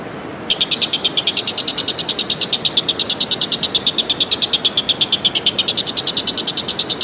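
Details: Common green magpie in the wild in Indonesia: a loud, fast, even rattle of sharp high pulses, about eight per second, held steadily for over six seconds with a slight dip in pitch near the end, over faint background hiss.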